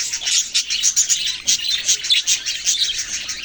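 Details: A flurry of quick, squeaky chirps from baby budgies, about two or three per second, overlapping into a bright, scratchy chatter.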